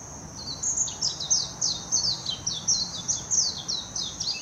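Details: Warbling white-eye from Hashimoto, Wakayama Prefecture, Japan, 26 June 2021, captured on a Nikon Coolpix P900, delivering a lively run of rapid, high, down-slurred warbled notes about every third of a second, with a steady high whine underneath.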